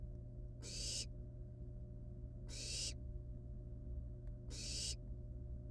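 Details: Nestling barn owls, wild, at the nest while playing with and eating a live rat; three harsh broadband hisses about two seconds apart over a steady low-pitched hum.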